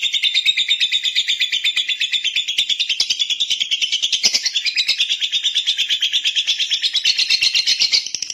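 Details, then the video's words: Clear lovebird song over a long stretch: unbroken high chattering made of rapid, buzzy, slightly warbling notes repeated about three times a second at an even loudness throughout. "Love bird jernih durasi panjang"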